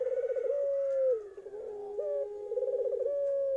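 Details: Young Eurasian collared dove giving a low coo phrase: rapid rolling trill, then a sustained hollow note, a dip, another brief trill and a final held coo, against a faint steady hum.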